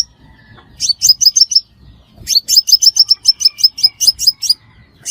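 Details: Crimson sunbird lure for trapping: a short burst of sharp high chirps, then a long, steady string of around fifteen piercing notes at an even pace.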